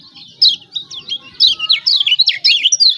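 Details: Lombok lemon-bellied white-eye, recording meant to coax reluctant birds to sing: dense high chattering twitter of quick rising and falling notes, loud and continuous.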